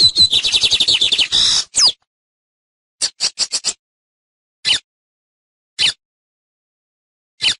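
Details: Lined seedeater, called corbatita or bengalí, in a teaching song: under two seconds of quick buzzy trilled notes, followed by isolated sharp high chips spaced irregularly across quiet gaps.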